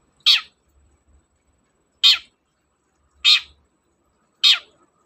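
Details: Four rough, scratchy screeches of a long-tailed shrike spaced one to two seconds apart, each brief and dropping in pitch, with quiet gaps; used to coax reluctant shrikes into song.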